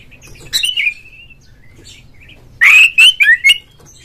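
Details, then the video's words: Oriental magpie-robin lure song to provoke a caged rival into singing: a thin drawn-out whistle trailing off, quiet, then four very loud ringing whistled notes in quick succession. "suara pancingan burung Kacer agar CEPAT GACOR FULL buka ekor dongkrak EMOSI"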